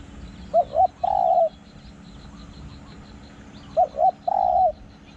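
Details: Spotted dove used as a decoy in Thai dove calling, giving two soft coos then one long drawn-out coo, the phrase repeated twice, mid-pitched and hollow, over steady low background hum.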